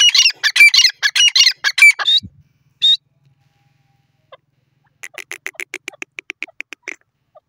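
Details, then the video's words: A francolin (Irani/dakhni teetar) gives a burst of harsh, grating squawks, then after a pause a fast run of about a dozen rasping notes that quicken slightly. "irani teeter ki awaaz dakhni teetar sounds"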